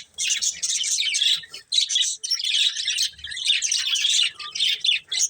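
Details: Colourful budgies kept as a breeding pair, chattering in dense bursts of scratchy, warbled chirps, with brief quiet gaps between the runs.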